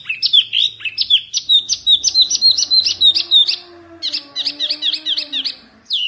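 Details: A fierce Oriental white-eye song offered as tutor material: rapid high chirps with a downward flick, run together in a quick chattering phrase. After a short pause comes a second twittering burst over a soft low hum.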